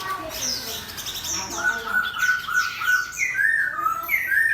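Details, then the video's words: Caged Chinese hwamei facing a fighting bird: high twittering first, then a series of clear, level whistles repeated roughly every half second, ending in upward-slurred notes. "Hoạ mi 498: Xoè không khép (ốp đấu chim chiến)"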